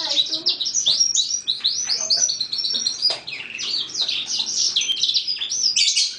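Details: Young lizard-cross-roller canary, a six-month-old male, one of two males from the same nest, with its song becoming clear: fast continuous high twittering of rising and falling chirps and trills, with a brief interruption of speech.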